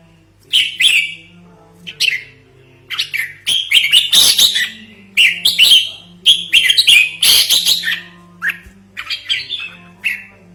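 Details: Red-whiskered bulbul calling for trapping and as a training model: rapid bubbly, warbling phrases of bright high notes, delivered in uneven bursts across ten seconds, with a faint steady low droning hum beneath.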